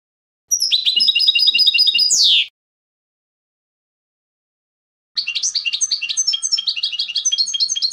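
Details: Clean goldfinch song in two bursts: a rapid tinkling twitter ending in a sharp downward-swept note, then a pause of nearly three seconds before another fast, jingling chatter of high notes.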